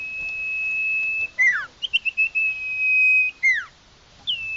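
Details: Iora whistling a long, even note, then a falling slur, a few clipped chirps, and another drawn-out whistle.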